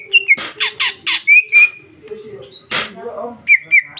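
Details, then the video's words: Greater green leafbird (cucak ijo), female, singing loudly and freely with rich fill, 2021. Rasping harsh strokes between sliding whistles, one harsh burst, then short rising whistled notes. "Cucak ijo betina paling gacor ngeplong isian super mewah"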